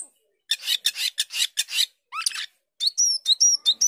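An Asian glossy starling sings a fast string of harsh, rasping bursts, then a few rising notes and a run of bright, high whistles with sharp pitch bends.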